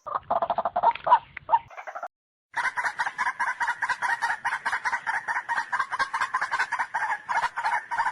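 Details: White-breasted waterhen giving harsh clucks, then after a brief gap a rapid, continuous chatter of sharp notes with a bright, ringing edge.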